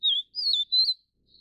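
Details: Vivid niltava (Niltava vivida vivida), an adult feeding chicks in Taiwan: a single clear high phrase of three sliding whistles, ending in a faint trailing note.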